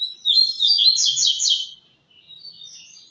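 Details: High, dense chattering song of a double-collared seedeater in the tui-tui style. A fast buzzy trill runs for over a second, then softer thin twittering notes trail off.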